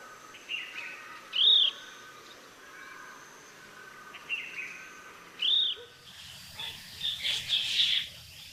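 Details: Chestnut-bellied nuthatch recorded in Sattal, Uttarakhand, India: two high, arched whistled calls about four seconds apart with softer notes before each, then a burst of scratchy rustling and mixed chirps near the end.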